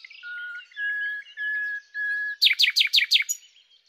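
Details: Common nightingale (Luscinia megarhynchos) sings four slow, pure drawn-out whistles, then bursts into five loud, sharp repeated notes before falling quiet.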